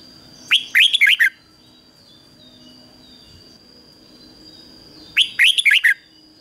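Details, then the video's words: Decoy red-whiskered bulbul singing to lure wild rivals: two loud, rapid phrases of five or six sharp whistled notes, about four and a half seconds apart, with a faint steady tone between. "Chào mào mồi HÓT CHÉ GỌI BỔI CĂNG ĐÉT"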